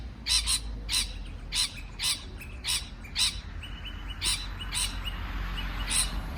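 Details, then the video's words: Parrot chirping in a series of rasping notes roughly every half second, some doubled, with a thin steady whistled tone and low outdoor rumble in the background. "美丽的鹦鹉鸣叫beautiful parrot chirping sound call"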